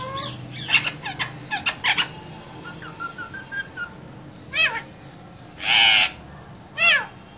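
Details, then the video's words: Two green parrots chatter inside a cage: clusters of quick squeaky notes, a soft run of short whistles, then three loud harsh squawks, the middle one long and noisy. "Two Green Cute Parrots Talking In Cage"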